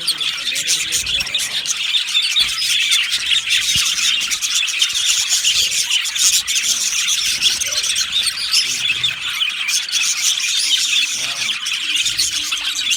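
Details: Budgerigar colony in an Australian aviary, 15 July 2025, keeping up a long unbroken chorus of high chirps, squawks and twittering warbles from numerous birds.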